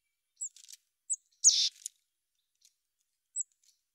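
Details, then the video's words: Mountain chickadee calling: short, very high, sharp chip notes, then one loud, drawn-out harsh buzzy note, followed by another isolated high chip after a pause; no other sounds. "Mountain Chickadee Chirps"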